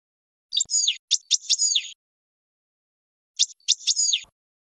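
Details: European goldfinch training song for young birds: two separate short phrases of sharp, buzzy, descending notes, about three seconds apart, with silence between.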